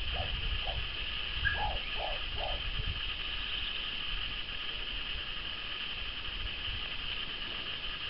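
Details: Moustached turcas in apparent courtship, a pair or group, give a quick burst of about five low hollow notes and one brief whistle early on, then quiet, with low rumbling background noise and steady hiss.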